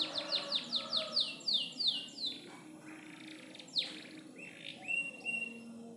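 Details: Canary in loper song opening with about ten rapid descending notes in a steady series, then scattered sweeps and short level whistles.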